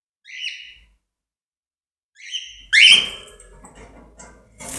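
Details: A newly acquired, excited cockatiel gives shrill, rising chirps, then a louder harsh screech.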